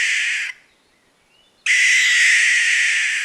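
Barn owl giving a harsh, hissing screech. A half-second burst breaks off, then a longer rasping scream of about a second and a half follows.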